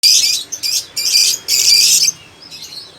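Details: Lovebird that has begun singing steadily: three loud bursts of harsh, high, buzzy chattering, each under half a second, separated by short gaps, then a faint trailing chirp.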